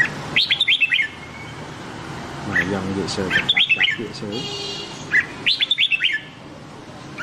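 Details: Red-whiskered bulbul song in the Nam Đông style, used to train the voice of a white-cheeked bulbul: short, bright whistled phrases with quick rising and falling notes, repeated in bursts with pauses, and lower warbling sounds in between.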